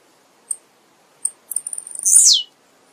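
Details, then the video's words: A blue-black grassquit gives two short high ticks, then a thin, sizzling buzz that rises and ends in a quick downward slur. "Canto do TIZIU"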